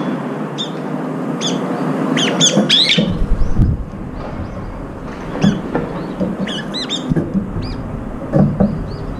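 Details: Several brown-eared bulbuls feeding and competing for food; bursts of high arched squeaks in quick clusters, pausing, then resuming, alongside thumps and a low rumbling background.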